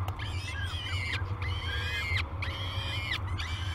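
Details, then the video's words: Feeding-time calls of peregrine falcon nestlings at Great Spirit Bluff, recorded by a live cam on 22 May 2020; overlapping, sustained whining cries, slightly falling at their ends, nearly continuous above a low drone. "Breakfast at Great Spirit Bluff"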